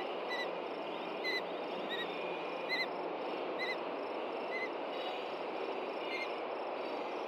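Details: Ospreys at a nest in Hellgate Canyon, Montana, upset after dark on June 2, 2014 by an intruding juvenile. Short, sharp whistled chirps repeat irregularly over a steady hiss of nest-camera noise.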